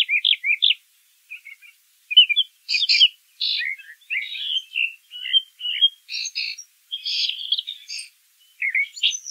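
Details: Brown thrasher (Toxostoma rufum) in full song, a long sequence of varied phrases shifting between low slurs, high buzzy doublets and quick twitters, with brief gaps between them.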